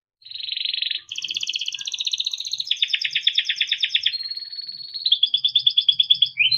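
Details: Melodic timbrado canary song made of smooth connected trills that shift pitch every second or so, some rapid and rattling, others sustained and even, with faint low hum underneath.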